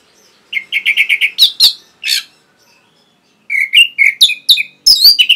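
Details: Training song of an Orange-headed thrush for caged birds: a quick series of six even whistled notes, then rising and falling slurred phrases, a pause, and another run of repeated whistles ending in varied twittering.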